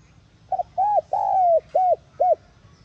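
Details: Spotted dove call meant to rouse a decoy bird: a single clean phrase of a short doubled note, a rounded coo, a long drawn coo, then two brief hoots, over a quiet background.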